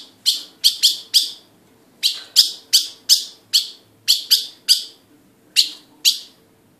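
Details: Ultramarine grosbeak pair: sharp, clipped high chip notes, about fifteen of them in loose bursts of two to four, each dropping quickly, with short silent gaps between groups and a quiet background.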